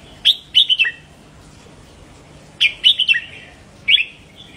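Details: Caged red-whiskered bulbul song meant to stimulate other cage birds: three crisp phrases, each a fast burst of sharp, sweeping chirps dropping in pitch at the end, separated by quiet gaps.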